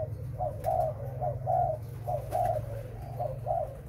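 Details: Spotted dove kept for breeding, giving a series of soft, hollow coos, each a short note followed by a longer, slightly rising one, repeated roughly every second over a steady low hum.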